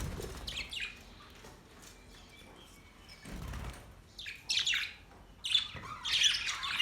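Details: Australian budgies giving soft, scattered chirps, quiet at first, then louder bursts of scratchy high twitter in the last few seconds, with a brief low flutter like wing flaps.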